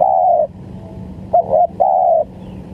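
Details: Spotted dove (tekukur) calling, a lure sound for bird trapping: a long mellow coo, a brief clipped note, a short two-part coo, then another drawn-out steady coo, with low background hum.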